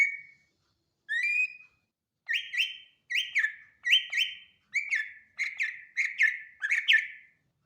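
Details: Greater green leafbird, Bornean, Sumatran or BWI variety, repeats a ringing whistled two-part phrase about nine times, each phrase a rising note followed by a sliding fall, spaced roughly every half second.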